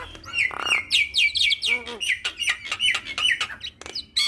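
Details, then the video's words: Javan myna (jalak kebo) in busy 'isian' song for training other mynas to call: a buzzy rasp, then a dense series of sharp chirps and short warbles at rapid pace. "Jalak Kebo Full Isian Mantap Bikin Semua Jalak Ikut Bunyi"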